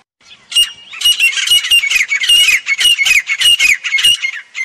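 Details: Grey francolin (Ortygornis pondicerianus) call: loud, harsh, shrill squawking notes in quick succession, roughly one or two phrases a second, with a ringing high tone running through them.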